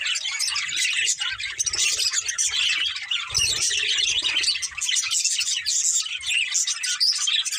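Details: Pet budgies in a family group chatter continuously, scratchy warbles mixed with squawky chirps and high tweets, accompanied by low rustling thumps in the middle.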